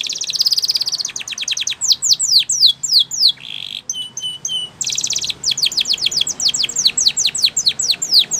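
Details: Spanish Timbrado canary in song, used for training young canaries: buzzy trill, then fast falling high notes, a rasping low roll and bright repeated trills.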